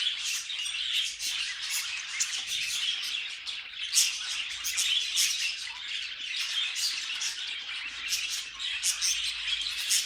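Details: Many pet budgerigars singing together: a dense, continuous chatter of high warbles, squeaks and sharp chirps, with no pauses and steady loudness throughout.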